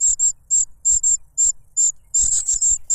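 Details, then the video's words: A cuckoo chick raised by foster parents cries for food while being fed a butterfly; high shrill notes, single and paired at first, then a dense rapid flurry toward the end, with a few low knocks. "The cuckoo bird is too noisy when trying to grab food杜鹃鸟抢食太吵闹了"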